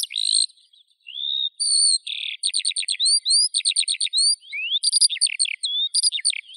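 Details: Skylark song: a fast, continuous stream of high whistled and trilled notes, with rapid repeated chirps and short rising slurs, no pauses longer than a moment.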